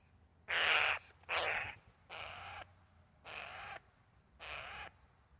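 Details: Eurasian jay (Garrulus glandarius) giving five harsh, rasping screeches over about five seconds; the first two are loudest and broadest, and the last three are shorter, slightly softer and evenly spaced, with quiet background between them.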